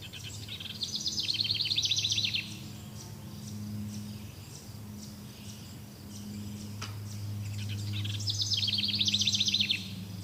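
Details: Wild birds singing in a forest: a rapid trilled phrase of high, descending chirps repeated twice, about seven seconds apart, over a steady low hum and a soft background of distant chirps.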